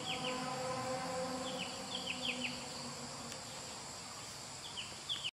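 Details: Silver-breasted broadbill (Serilophus lunatus) on Old Pump House Road, Genting Highlands, Pahang, on Sunday 10 April 2011, giving high, thin, down-slurred notes in quick pairs and triplets over a steady drone, with cars rushing by in the background.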